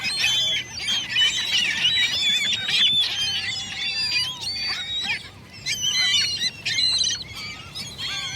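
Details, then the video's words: Dense gull chorus with shrill, bending cries overlapping continuously, briefly thinning around the middle before another burst of sharp calls. "Seagull noises"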